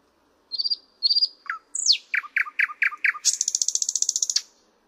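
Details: Thrush nightingale singing: two high whistled trills, a low click, then a series of five loud descending slurred notes and a long, fast, dry rattle lasting over a second; quiet background.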